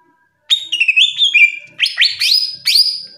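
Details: Greater green leafbird, a nationally top-ranked songbird, in masteran song: loud clear whistled phrases, sliding and stepped notes, in two bursts after half a second of silence, with harmonics above.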